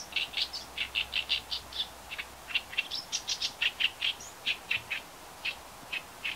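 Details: Oriental reed warbler giving its call notes, filmed with a Nikon compact camera: harsh, rasping chack notes repeated rapidly, about three or four per second, in an even, insistent series with no other clear sounds.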